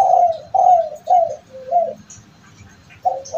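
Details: Kept spotted dove, prized for a coo with the "kuk" note repeated two or three times, believed to bring owners good fortune; a series of mellow hooting coos, several in quick succession, then a pause and another coo, in a small room.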